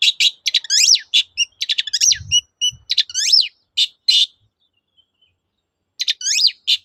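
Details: Lively long-tailed shrike song in the 'toet-toet' style, played to make silent shrikes sing again: continuous chattering mix of swooping whistles, buzzy notes and repeated chips, a brief low thump, a pause, then more chatter.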